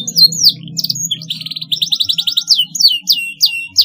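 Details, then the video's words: Canary song, presented as a tutor song for training young canaries learning to sing: a fast, varied run of high whistled notes, buzzy rolling trills and sweeping slurred phrases, continuous throughout with brief gaps; a low background hum underneath. "paud kenari belajar bunyi cocok sekali di pancing suara ini"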